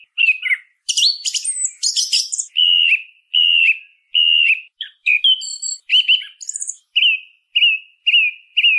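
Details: Song thrush giving harsh squeaky chatter, then a full whistled note repeated several times. A brief high-pitched twitter follows, then more repeated whistles to the end.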